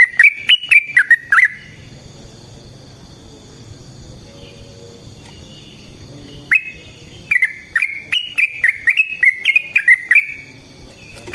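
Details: Lively sooty-headed bulbul used to train birds and to provoke other bulbuls to answer. A short whistled burst opens, followed by five seconds of near quiet, then a long rapid string of ringing notes.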